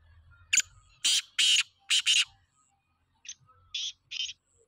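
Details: Black francolin, known locally as kala teetar, calling: harsh, grating, broadband bursts in a rhythmic phrase, with one sharp note, then two loud rasping pairs, a pause, and three softer, shorter rasps.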